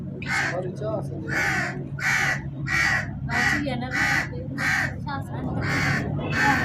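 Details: Crow giving a long series of harsh, hoarse caws, about ten in under seven seconds at a slightly uneven pace, over a steady low hum.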